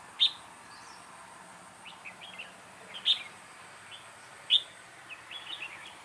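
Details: Red-whiskered bulbul used as a decoy while trapping on 2 October 2018: three loud, sharp chirps about every two seconds, each followed by short, quieter warbled phrases, over a steady faint background hiss.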